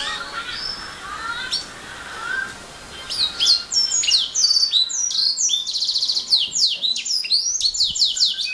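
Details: Canary song that starts soft and distant, with quiet scattered notes for about three seconds, then bursts into loud rapid whistles, sweeps and rolling trills.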